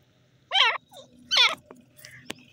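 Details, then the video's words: Grey francolin, known locally as gora teetar, giving two loud, harsh, harmonic-rich call notes about 0.8 seconds apart, each slightly falling in pitch, followed by a few faint clicks over a low steady hum. "gora teetar voice bird,teetar ki awaz,dakhni teetar voice"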